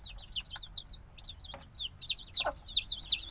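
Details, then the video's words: Very young black chicks, hatched a few days before, in a binaural field recording: piercing high peeps, each bending up then down, tumbling over one another, with a brief lower knock in the middle. "Baby Chicken Sounds - Baby Chicken Chirping Noises"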